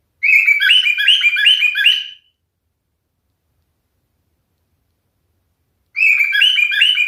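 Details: Two short bouts of song from a male cockatiel, each a rapid string of bright, stepping warbled notes, separated by nearly four seconds of silence.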